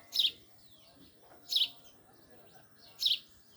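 A male house sparrow gives three short, bright chirps, evenly spaced about one and a half seconds apart, over quiet background hum.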